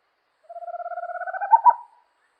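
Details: Amazonian small owl, living in the forests and active at night, delivering a single fast pulsed trill, low and even, gently rising, finishing with two loud accented notes. Clean, with no background noise.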